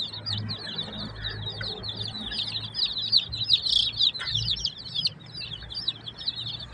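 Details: Many colourful village chicks peeping together: a dense, continuous stream of high, thin, repeated cheeps overlapping rapidly, with faint low rumbling in the background.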